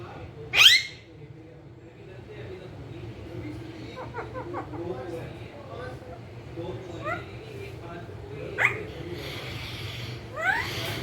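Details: Talking pet ringneck parakeet: one loud piercing squawk opens, followed by quieter scattered chattering notes and short rising calls, then a few more sharp calls near the end, over faint room hum.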